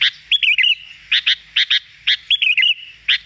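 Sooty-headed bulbul giving bright, chattering bursts of notes, twice broken by a liquid, bubbling warbled phrase, all high-pitched and quick, against a quiet background.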